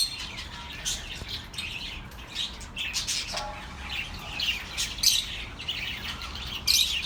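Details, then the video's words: Companion birds twittering, intended to soothe lonely pet birds: uneven high chirps and scratchy squawks, louder bursts near five and seven seconds, over faint low room noise. "The best relaxing birds sounds for your lonely birds"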